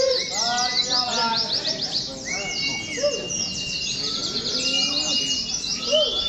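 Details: Oriental white-eyes kept in cages and trained together for singing competitions produce rapid high twittering, while clear level whistles and short lower upslurred notes sound through the chorus.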